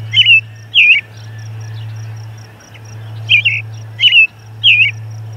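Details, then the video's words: An American robin sings near an osprey nest on June 10, 2020, around 11:57 am MDT, giving short, slurred, caroling phrases in bursts of two or three with pauses, over a steady low electrical hum. "Robin singing"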